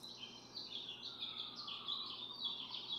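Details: Barn swallow (Hirundo rustica) at its nest of four eggs, parents swapping incubation duty through the day; a dense stream of high, chattering chirps with a faint, low, sliding hum behind it.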